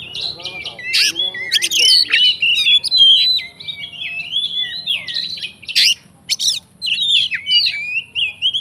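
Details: Oriental magpie-robin, a fighter, singing a full fill-in song meant to provoke other magpie-robins: a dense, unbroken run of bright whistles, warbles and slides, with a few abrupt harsh notes.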